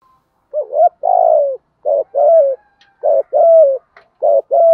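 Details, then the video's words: Spotted dove decoy call in the 'thúc gù' style, used to lure wild doves, from both male and female birds: low, hollow coos in quick phrases, each a short note leading into a longer drawn-out, slightly falling coo, repeated several times. "tiếng chim cu gáy mồi bài bản giọng hay thúc gù cả ngày"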